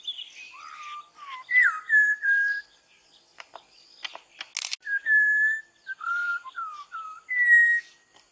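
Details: Malabar whistling thrush, a Western Ghats bird, singing at dawn in forest: varied melodious whistles, sliding and level notes in short phrases, broken by brief clicks and a sharp rasping burst midway, faint background chirps.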